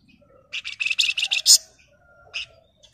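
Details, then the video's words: Flamboyan bird singing a dense, rapid burst of high buzzy chattering notes, ending in a sharp squeak, then a single short chirp after a pause. "Pancingan dan Masteran Burung Flamboyan Gacor Ngebren Rapat Nyerecet"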